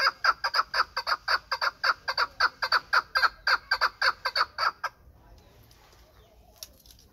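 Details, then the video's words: Chukar partridge from Pamir, a bird kept for hunting: a rapid, steady series of about sixteen harsh clucking notes over five seconds, then quiet with faint background rustle. "Кабки Помир"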